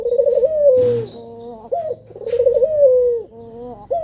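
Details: A male spotted dove coos as a lure to set other birds singing. Two mellow phrases are heard, each a quavering coo easing downward into a steady lower tone, then a short rising note.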